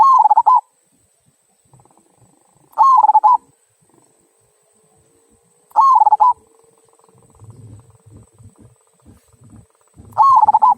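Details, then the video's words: Local zebra dove singing its "kung" style song, used to prompt other birds to sing: short rolling cooing phrases with a rapid bubbling pulse, about half a second each, repeated roughly every three seconds, with faint low rumbling noises between them. "Perkutut Lokal Suara Kung, Cocok Untuk Pancingan"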